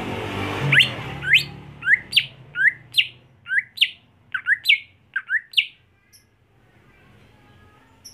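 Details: Greater green leafbird delivering a rhythmic series of about eleven rising, upslurred notes, some paired, roughly half a second apart, after a brief noisy start; the song fades into quiet at the end.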